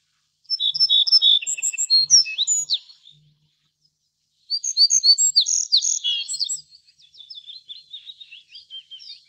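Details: Two loud phrases from a little bunting: rapid high chirps mixed with buzzy downslurred notes, the second phrase trailing into softer scratchy twitters.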